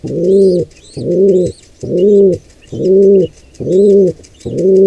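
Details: Pigeon squab in its nest assaulted by two intruding wild pigeons; loud, rounded low coos pulse regularly about every second, with soft twittering from small birds higher up.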